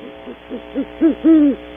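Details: Short, quiet hoots growing louder and closer together, finishing in a long low hoot, from a great horned owl of a pair at a cavity, early morning, Audubon Starr Ranch, California.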